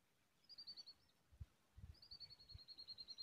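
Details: Common tailorbird at the nest, feeding its chicks. Two bursts of rapid, high, evenly spaced chirping notes; the second burst is longer and steadier. A few low thumps come between them over a quiet background.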